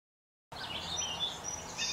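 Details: Song sparrow singing from the top of an arborvitae, probably near its nest: after a brief silence, a quick run of high buzzy notes and a thin whistle, over a steady outdoor hiss.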